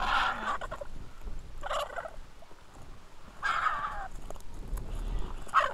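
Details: Griffon vultures squabbling in a feeding frenzy at the Hai Bar vulture feeding station, Israel, on 2 August 2021, filmed by a fixed camera; rasping, hissing screeches in four separated bursts over low background rumble.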